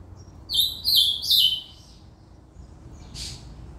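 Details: Ultramarine grosbeak (reinamora) giving a short cantoria phrase: three quick, loud warbled whistles sliding downward over about one second, followed by quiet and a brief soft rustling noise.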